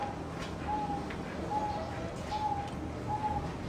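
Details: A zebra dove (Geopelia striata) sings soft, level coos, one short note about every second, over a steady hiss of background noise.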